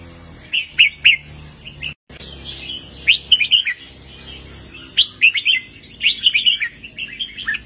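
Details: Southern master-style song of a red-whiskered bulbul with heavy phrases: bursts of three to six fluty, slurred whistles separated by brief gaps, repeated through the stretch, with a low steady hum beneath.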